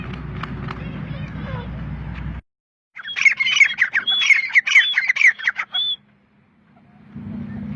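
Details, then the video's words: Partridge calling in Pakistan, a rapid series of harsh, scratchy squawks delivered in a tight burst of about three seconds, bracketed by stretches of low mechanical rumble and brief silence. "Partridge Sound Pakistan"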